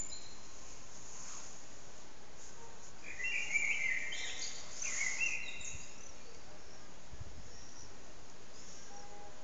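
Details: Common blackbird in a reverberant backyard, recorded on an old HTC Desire phone: a single phrase of smooth, fluty whistles slurring up and down, smeared by echo, set against a long stretch of heavy, constant background noise.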